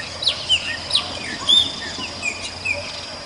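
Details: Purple-throated euphonia, wild and free in nature, giving short clear whistled notes, some slurring downward and one held slightly longer, about six notes spaced unevenly over three seconds over a steady high insect-like hum.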